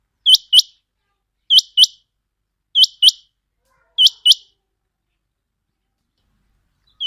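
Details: Quail calling, as used for quail hunting: sharp, high notes given in quick pairs, each pair repeated about every 1.2 seconds, with a long pause before a final note. The background is silent.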